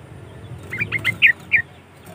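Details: Sooty-headed bulbul song used as a lure for other bulbuls: a quick run of short chirped notes ending in two louder bubbling whistles, with faint low background rumble.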